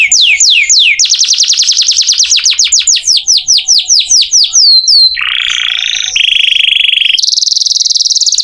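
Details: Canary song intended as master audio for magpie-robins: rapid downward-sweeping notes building into a fast rolling trill, then sustained buzzy notes at steady pitches and a high dense trill to finish.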